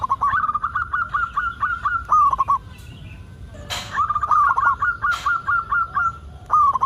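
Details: Local zebra dove singing hard as a lure for other zebra doves: two long runs of rapid, even cooing notes with trilled endings, split by faint clicks and a sharp knock.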